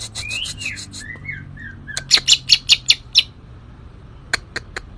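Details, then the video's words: Green leafbird song: quick high chirps with gliding whistled notes, then six loud sharp chirps about a third of a second apart, followed by a few isolated clicks. "cak ijo gacor"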